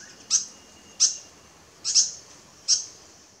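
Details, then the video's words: White-throated fantail at Doi Inthanon, Chiang Mai, Thailand, giving four short, high, sharp chip notes, spaced roughly every two-thirds of a second, over a quiet background. "นกอีแพรดคอขาว White-theoated Fantail"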